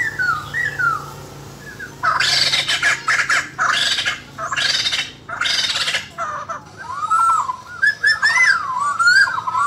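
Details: White-crested laughingthrush kept in captivity for song training, 2020; harsh loud chattering bursts repeated about every second, then clear slurred whistles rising and falling, with a steady background hum.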